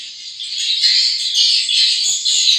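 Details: Newly hatched swiftlet chicks keep up a steady, high-pitched, raspy hiss with slight waves in loudness and a few faint low knocks near the end.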